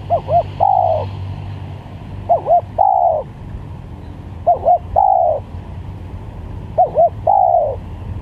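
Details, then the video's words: Repeated spotted dove phrase, used as a lure recording and for song training: each phrase is two quick arched coos and a long falling coo, given four times about every two and a half seconds, over low rumbling noise. "Pikat Tekukur||Untuk Masteran"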